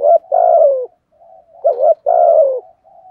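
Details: Spotted dove cooing steadily, used to provoke rival birds: low, throaty hollow coos in two-part phrases, a short note then a longer falling note, repeated with brief pauses, clean with no other sounds.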